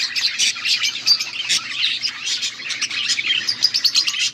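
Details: A flock of budgies on August 14, 2024 giving bright, fast, nonstop chirps and twitters, densely overlapping throughout.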